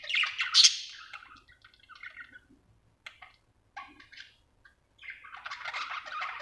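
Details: Happy budgie with a loud scratchy chirp burst at the start, then scattered soft ticks and quiet squeaks, and renewed raspy warbling near the end.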